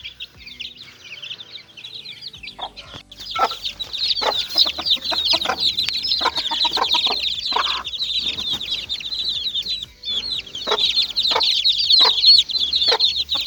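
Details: Little chicken chicks playing, loud and close: a nearly continuous flurry of shrill, high-pitched peeps, several per second, mixed with sharp tapping and scratching noises, after a quieter opening of scattered cheeps.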